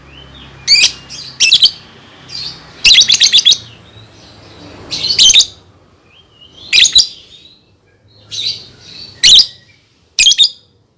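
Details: Lovebird song played for young birds to copy: busy sequence of shrill chirps, rattling multi-note trills and squeaky squawks at irregular intervals, with faint whistled notes between.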